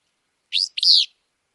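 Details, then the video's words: Single Willow flycatcher phrase from Wisconsin: a short buzzy note followed by a longer, burry, slightly down-slurred note, cleanly recorded with no background sound. "Wisconsin Bird Sounds - Willow Flycatcher"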